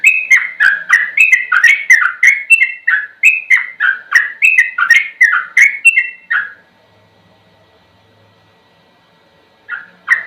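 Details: Sooty-headed bulbul delivering rapid ropel song for bird training: some twenty bright, slurred whistles in quick succession for six seconds, then a long quiet pause and one final whistled note.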